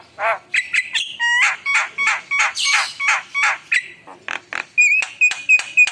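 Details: Javan myna delivering gacor song rich in fillers, a quick run of loud nasal squawks and clipped whistles, some notes repeated several times per second.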